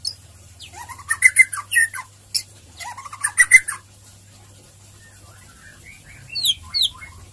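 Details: White-rumped shama singing ngeriwik and ngeplong phrases as a fast lure: two loud bursts of rich whistled and chattering notes, a pause, then thin high rising whistles near the end; faint low hum throughout.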